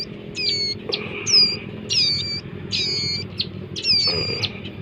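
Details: Young bar-winged prinias calling with five separate sharp, ringing, harmonic chirps, each a little over a second apart, above faint low hum.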